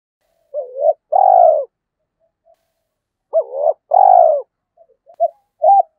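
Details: Spotted dove used as a lure, cooing in the 'thổ' voice: a short hoot and long vibrating coo, a pause, then the same pair again, followed by a few softer clipped notes.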